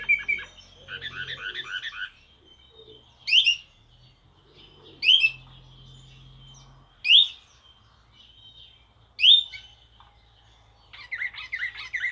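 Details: Serbian blue canary singing in the Slavujar style: bursts of fast warbled trills at the start, then four sharp, loud, rising notes spaced about two seconds apart over a faint thin tone, ending in another rolling trill. A low hum runs throughout.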